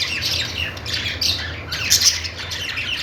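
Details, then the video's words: Happy budgerigar chirping: a short burst of busy, overlapping high squeaks and warbled twitters with a couple of brighter squawks, set against a faint low hum. "budgies birds noises | parakeet chirping sounds"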